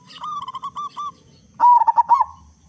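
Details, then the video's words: Local zebra dove with a big voice, used as a lure to make other doves sing: about eight soft, evenly spaced mellow notes, then a loud rapid burst of stuttering, rolling coos. "Perkutut Lokal Gacor Suara Besar Pancingan Burung Perkutut Agar Cepat Bunyi"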